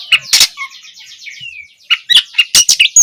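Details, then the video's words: Oriental magpie-robin intro song meant to coax juvenile birds into singing: loud clipped chirps open and close the phrase, around a soft buzzy trill with one long descending whistle. "Awalan suara Kacer bahan belajar gacor, cocok untuk memancing Kacer trotolan agar lekas nyaut gacor"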